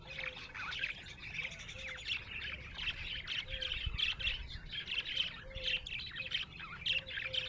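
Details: Happy budgerigars fill the air with rapid chattering twitters and harsh squawks, while a short low whistle recurs about every second beneath the flock noise.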